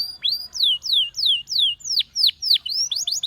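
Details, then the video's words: A Gloster canary's song: a series of clear, sharply falling whistled notes repeated about three times a second, followed by quicker rising and falling chirps. "The Most Powerfull Gloster Canary Singing"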